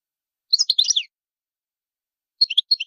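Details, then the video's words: Goldfinch giving short sharp territorial notes used against other birds: a half-second cluster of twittering chirps, a pause of over a second, then a second quicker group of sharp tweets. "Goldfinch's loud calls to stimulate birds"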